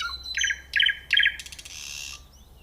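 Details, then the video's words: Common nightingale singing: three loud bursts of rapidly repeated, chattering notes, each louder than the last, then a harsh buzzy rattle that fades out. "The nightingale singing"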